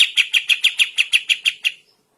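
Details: Morning song of a sooty-headed bulbul, used as a tutor recording for training birds: about ten evenly spaced, clipped chirps in quick succession that fade away, followed by silence.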